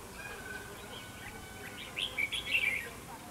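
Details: Red-whiskered bulbul decoy singing at a fight trap: after near silence, a short burst of quick, bright warbled whistles lasting about a second.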